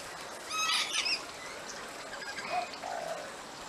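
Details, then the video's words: Rainbow lorikeets, a flock feeding on seed pods in Chinese Lantern trees in a backyard, give a short burst of harsh, screechy chattering notes lasting about half a second. Fainter, lower murmuring notes follow near the end. "Rainbow Lorikeets Feeding In Our Backyard"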